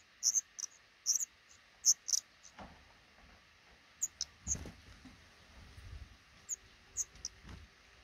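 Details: Black redstart pair nesting in a small nook under a roof above a regularly used front door, raising five chicks as eggs hatch; thin, very high squeaks in quick clusters, then a few scattered peeps over low thuds.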